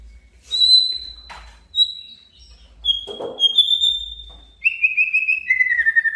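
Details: Male white-rumped shama calling out a rival: high sustained whistles broken by brief clicks, ending in a lower, fast buzzy trill that falls in pitch.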